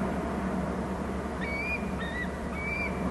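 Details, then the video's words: Bald eagles at their nest territory on Hornby Island, picked up by a nest camera: three thin, high, squealing notes in quick succession, each slightly wavering, over a steady loud hiss of background noise. "hearing squee calls"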